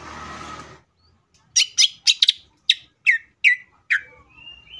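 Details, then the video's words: Greater green leafbird song used as a provoking lure for other leafbirds: after a brief rush of noise, a series of sharp downward-slurred whistled notes spaced about a quarter second apart, ending in a thin rising whistle. "CUCAK IJO GACOR GANAS BUKA MATERI❗PALING AMPUH BUAT PANCINGAN IJO AGAR CEPAT BUNYI AUTO EMOSI!"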